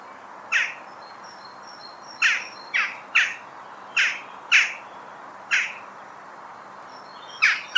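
A Western jackdaw gives seven short, sharp 'tchak' notes at uneven intervals, some in quick pairs, with faint thin whistles from another small bird.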